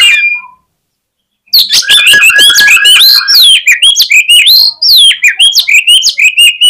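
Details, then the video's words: Oriental magpie-robin in full fighting song, used to provoke rival magpie-robins into responding: after a brief pause, loud, fast, dense bursts of shrill whistles, sharp chips and slurred rising notes pour out almost without break. "KACER GACOR FULL FIGHTER !!! COCOK UNTUK PEMBANGKIT EMOSI KACER LAWAN AGAR NGOTOT"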